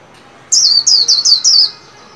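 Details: Caged white-eye in song training for the new year, delivering five loud, high, downward-slurred whistled notes in quick rhythm over about a second.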